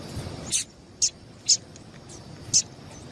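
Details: Female double-collared seedeater giving calls meant to get a male singing: brief, thin, high chips roughly every half second to one second, clean and separate, with quiet background hiss.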